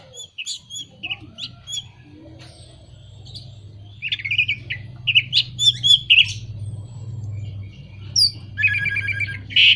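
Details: Orange-headed thrush song used as a lure to get moulting, silent or low-condition birds singing: varied high chirps and short warbled phrases in scattered bursts, louder toward the end, over a low steady hum.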